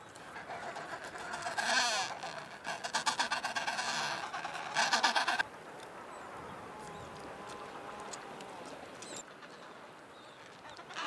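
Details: Adélie penguins returning from fishing cross snow to their rocky colonies on the Yalour Islands, Antarctic Peninsula, giving loud, harsh, pulsing brays in bursts for about five seconds, then fading to softer colony murmuring.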